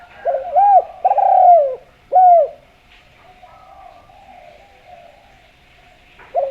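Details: Spotted dove from Java, a strong caller used to draw other doves into calling: a quick three-note cooing phrase of soft, downward-sliding notes, then a long pause with faint hum before the next coo begins.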